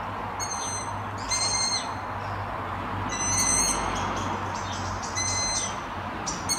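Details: In the town of Martin at dusk, young Long-eared Owls whistle persistently from the trees: shrill, overtone-laden squeaks repeated in short clusters about every two seconds, with a low steady hum and faint music behind.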